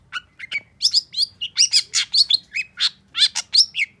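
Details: Agitated long-tailed shrike song in response to a rival: a few thin whistles, then a fast, steady series of rasping, buzzy chirps with bright whistled tops.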